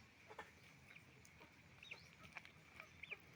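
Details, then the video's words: Roosters and hens on a chicken farm making noise: scattered short high chirps and peeps, some sliding downward, from several birds at once over a steady low background hum. "Moment of the sound of a chicken farm, roosters and hens making noise"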